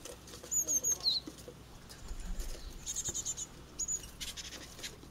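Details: Japanese tit chicks at fledging from a first-year nest box in a garden holly tree near a mountain village; repeated high thin chirps in quick groups, a short descending note, then steady chatter with light rustling.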